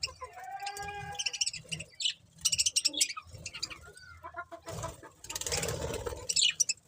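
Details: Several budgerigars giving a mix of sharp high chirps and short warbling, tonal phrases. The chirps come in bursts, with a noisier stretch of chatter toward the end and a low hum underneath.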